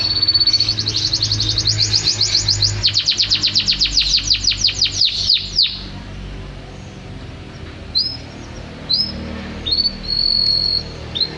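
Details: Champion canary singing constantly, opening with a long, fast rolling trill of sweeping notes that slows and fades, followed by separate short high whistles and a held flat tone.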